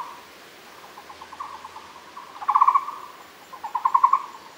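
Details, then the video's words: Muller's barbet recorded at Fushan: faint stuttering notes build into two loud, rapid, pulsed trill phrases about a second apart, all at one mid pitch over quiet background hiss. "Muller’s barbet Megalaima oorti, Fushan"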